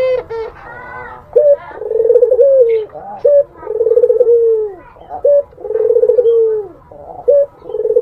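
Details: Zebra dove singing sweetly, said to entice a rival: short clipped coos alternate with longer rolling, trilled cooing phrases that rise then fall, repeated about every two seconds.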